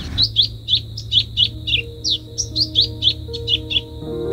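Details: Masked yellowthroat (Geothlypis aequinoctialis), call.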